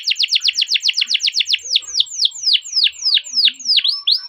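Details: Canary song from a master recording used to train canaries: a rapid series of sharp downslurred notes about eight per second, slowing into longer swooping whistles.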